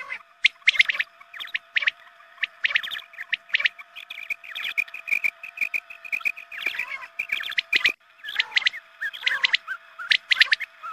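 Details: Quail calls played at dawn prayer time to lure quail for hunting: dense bursts of sharp, clipped chirps, many overlapping, with brief quieter gaps, over a faint steady electronic hum.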